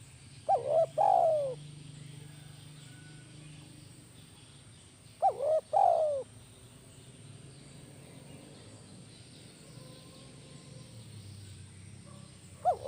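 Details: Spotted dove in kuk 1 lure style coos three times about every five seconds, each a short rising note then a longer falling coo, over a steady low hum.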